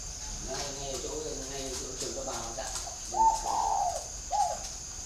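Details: A man talks at first. Then a decoy spotted dove with a whistle-like voice answers with two clear, steady, hooting coo phrases near the end.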